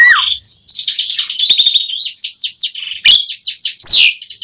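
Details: Continuous singing of an Asian pied starling, meant as a lure for other starlings: a rising whistle, then a long rapid chattering warble, then loud rasping bursts and a high sweeping whistle.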